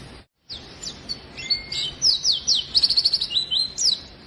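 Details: Oriental white-eye singing to prompt lazy white-eyes, high sliding notes and a short thin whistle leading into a fast, loud run of trilled chirps.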